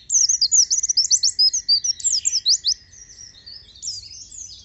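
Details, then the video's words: An Oriental white-eye in vigorous song, played to stimulate other white-eyes to sing, pours out a rapid, very high twittering of sharp slurred notes for nearly three seconds, then softer chatter over a faint steady whine. "PLECI JADI GACOR DAN NEMBAK NEMBAK"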